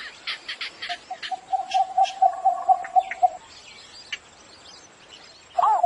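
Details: Cinnamon bittern calling in the morning, a run of low, regular, hollow notes that builds and then stops after about two seconds. High twittering from other birds comes before and after it.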